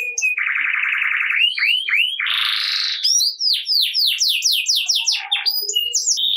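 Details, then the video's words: Singing canary, played to prompt lazy, quiet canaries to start singing: loud, rapid song mixing a buzzy rolling trill, a harsh rasping burst, then fast repeated downslurred whistled notes, dense and continuous. "Kenari Gacor Ngerek Cocok Buat Kenari Yang Malas Bunyi Jadi Ikut Bunyi Seketika || Voice of Canary"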